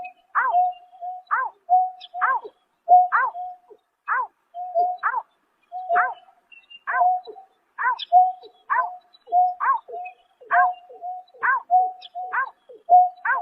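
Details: Greater painted-snipe calling persistently at night in March 2024, a long run of arched hooting notes, each joined to a flat low tone, repeated almost every second, with occasional faint high squeaks.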